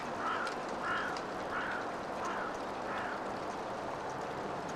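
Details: Two yellow-legged gulls fighting over a fish; a series of five hoarse, mid-pitched calls about every 0.6 seconds, fading toward the end, over steady broadband background noise.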